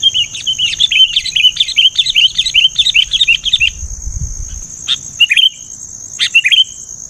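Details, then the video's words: Kutilang, the sooty-headed bulbul, pouring out a lively run of rapid bubbly warbled notes for nearly four seconds, then two shorter chirpy bursts, with a constant thin high-pitched whine behind and faint low rumble. "suara bikin ribut#kutilang"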